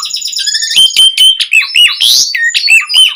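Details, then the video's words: Varied song of an Asian pied starling, used to prompt other starlings to reply: held whistles breaking into quick chattering notes, a harsh rasping burst and looping whistled phrases. "Suara Jalak Suren Gacor Ocehan Ampuh Buat Pancingan Burung Jalak Agar Langsung Nyaut"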